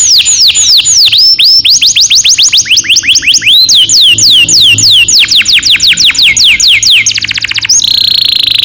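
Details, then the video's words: Canary singing a long roll, used as a lure to train young canaries: rapid series of loud whistled notes sweeping down, repeated several per second, ending in a very fast buzzy trill and a sustained high tone. "Kenari gacor NGEROL PANJANG cocok untuk PANCINGAN KENARI PAUD"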